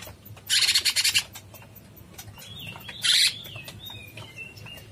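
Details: A black-headed bulbul in full song, recorded as a tutor track, gives two bursts of rapid, harsh, high chattering, about half a second each, followed by thin wavering whistles.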